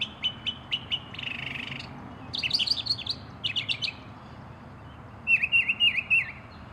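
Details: Northern mockingbird of North America, a mimic of other birds, alarms and mechanical sounds, singing a complex song: bursts of high repeated chips, a buzzy rattle, then varied twittering phrases, each motif repeated several times.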